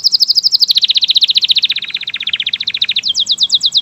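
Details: Canary of local, AF or AFS type in full lively song: a long, fast, even trill that steps downward in pitch, then jumps to a higher, quicker rolling trill.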